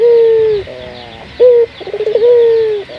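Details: Puter dove of a local type cooing as a lure for other doves: a long level coo that drops at the end, a short sharp note, a quick burst of pulses, then another long falling coo.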